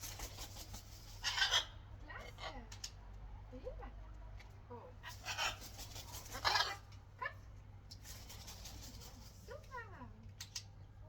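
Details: Harsh, raspy screeches of a free-flying macaw being recalled come in a few loud bursts, with human voices and short calls in between and a steady low hum underneath.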